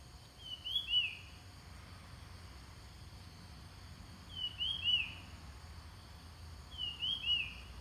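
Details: Ground thrush song played to lure wild birds: three short whistled phrases, each a rising note and then a falling slurred note, repeated about every three seconds over a steady low rumble and faint high hiss.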